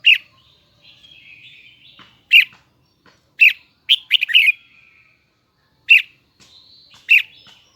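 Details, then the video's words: Red-whiskered bulbul of the Huế type, a kept songbird, singing a high, doubled, twisting song: loud bright whistled phrases repeated every one to two seconds, with softer warbling between them. "CHÀO - MÀO - HUẾ Bung giọng nghe cực đã || Giọng cao kép xoắn nghe mãi không chán"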